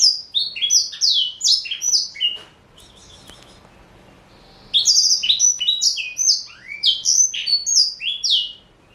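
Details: Male black-throated canary, a caged four-year-old Somerini x Botswana cross, gives two bursts of rapid, high, descending chirped song separated by a silent gap of about two seconds.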